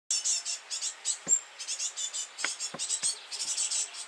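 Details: Feeding time for great tit nestlings: a high, hissing begging chorus of rapid, pulsing chitters, with a few soft knocks and bumps between them.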